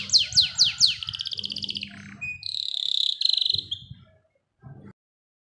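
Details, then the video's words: Canary song played to coax young canaries into singing: four sharp descending sweeps, then a rapid dry trill and a loud buzzy rolling trill, followed by soft low thuds and silence. "KENARI gacor dor roll panjang | pancingan kenari PAUD agar cepat bunyi"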